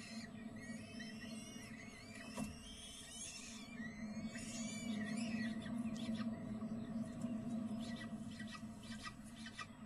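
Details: Peregrine falcon feeding in spring: busy clusters of high, wavering squeals and slurred notes, denser in the first half, then scattered, set against a continuous low hum.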